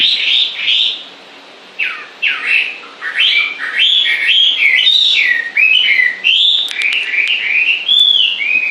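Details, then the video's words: Nonstop bird song: varied swooping whistles and chattering notes in quick succession, one brief pause early on, then an unbroken stream of rising and falling phrases with a few clicks mixed in. "Con chim hót suốt nghe mát ruột"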